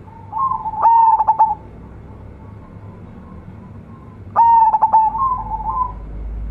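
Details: Zebra dove of a local strain, kept as a frequent singer with a full voice, giving two bright cooing phrases about three and a half seconds apart. Each has a clipped run of pulsed notes and then a fading, quieter tail.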